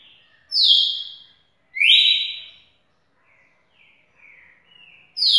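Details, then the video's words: Champion red-cowled cardinal song, with two strong, bright whistles sliding downward about a second apart, then soft chattering notes and another loud whistle starting at the end. "galo campina campeão"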